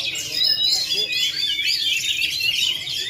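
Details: Oriental magpie-robin, a kept bird that has not moulted for 2.5 years but still sings at full power, delivering dense, rapid high twittering and short whistled notes in a continuous stream with faint background rumble.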